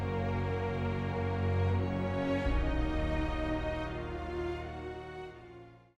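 Soft, slow, sad instrumental music with sustained tones fading out at the end; no animal voice is heard.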